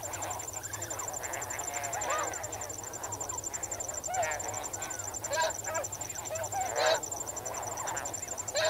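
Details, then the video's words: A flock of snow geese swimming and wading in water calls at medium close range with irregular nasal honks, some louder and upward-inflected, over a persistent pulsing cricket trill. "Snow Goose. MCU Calls From Flock While Swimming And Wading In Water"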